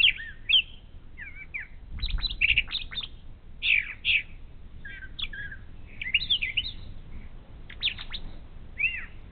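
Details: Brown thrasher serenading in the morning near an eagle nest cam on Ohio's Little Miami River: a long sequence of varied whistles, slurs and sharp notes, often doubled, with a low background rumble.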